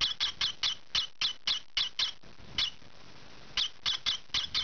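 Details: Pet lovebird youngster, green pied peach-faced, noisy during scratching: a run of harsh chirps, a pause of about a second, then more quick raspy notes, indoors.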